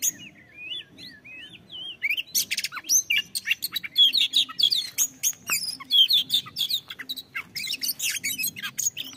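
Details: Oriental magpie-robin song used to stimulate other birds to sing: a rich, varied run of rising and falling whistles, sharp chips and rapid scratchy notes, with a low hum underneath.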